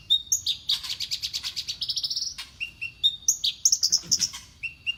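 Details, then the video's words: Horsfield's bush lark in champion tuning, known to copy prenjak, ciblek and sparrows, pours out high sharp notes, a long buzzy rising trill, then quick whistled slurs and chirps. "KICAUAn Burung BRANJANGAN STELAN JUARA!!!"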